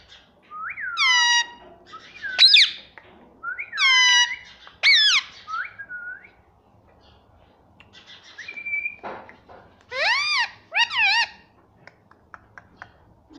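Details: Pet ringneck parrot known for saying "mummy": loud harmonic squawks and speech-like, downward-bending phrases in irregular bouts, one short steady whistle midway, then paired arching calls.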